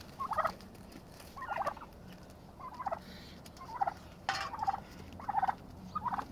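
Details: Turkeys fighting to establish dominance and a pecking order; loud rattling, gobble-like calls in bursts about every second, each a short throaty warble, with a sharp bang near the middle and steady low hum behind.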